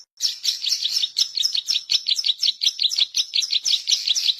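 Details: Zitting cisticola song, used as a lure for trapping and as a tutor recording, played day and night: a continuous, rapid series of sharp, high chirping notes, several per second, unbroken for the whole stretch.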